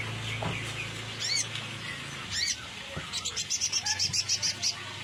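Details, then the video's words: Sunbird song used as a lure: a few high thin chirps and slurred notes, then a fast series of about a dozen sharp, high, evenly spaced tweets, with a low hum and background rustle. "Kolibri ninja suara cocok buat pancingan"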